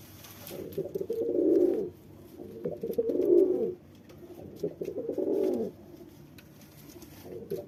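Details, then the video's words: Male pigeon trying to win over a female, giving three rich, bubbling coos at steady intervals of about two seconds, each building then dropping away. "male pigeon sound impressive female pigeon"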